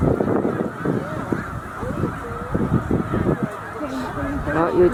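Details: Snow geese on migration at Middle Creek wildlife refuge, part of a flock of about 100,000; distinct short nasal honks, some rising and falling, sound above the dense background of the crowd.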